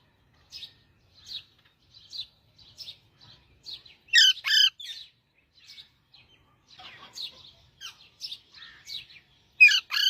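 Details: Parrot singing: rapid, uneven run of high chirps and twitters, broken by loud, harsh squawking bursts near the middle and at the end.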